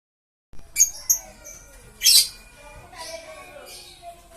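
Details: Lovebird, green series, giving a few sharp high chirps, then a loud harsh squawk near the middle, followed by softer scratchy chatter in a quiet room.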